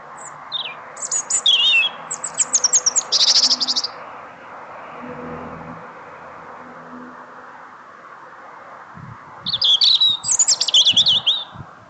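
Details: Small bird singing after work hours: two bursts of high, rapid, jumbled twittering notes with trills and sharp chips, separated by a quiet gap of background hum and soft low knocks.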